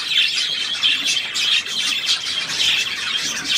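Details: Budgerigar, 3 April 2017: continuous high twittering warble made of quick scratchy chirps, with louder bursts about every second and no pause throughout.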